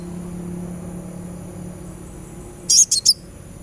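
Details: Sunbird in a therapy sound for making a bird sing, delivering a single cluster of three shrill, very high chips near the end after quiet humming background.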